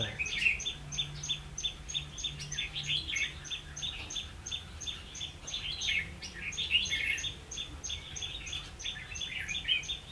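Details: During a 16 October 2016 trapping session, a Red-whiskered bulbul delivers lively chirping, warbled phrases in repeated bursts, accompanied by a steady, evenly spaced high clicking and a brief low hum early on.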